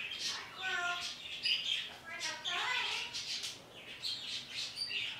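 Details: Morning parrot chatter aimed at outdoor birds: short, voice-like harmonic phrases alternating with high chirps and whistles in quick succession.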